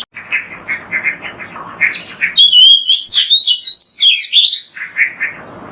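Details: Oriental magpie-robin in loud, full song, used as a training recording to prompt other magpie-robins to sing: a rapid run of varied whistled notes, rising and falling, with chirps, after a softer stretch of distant chatter.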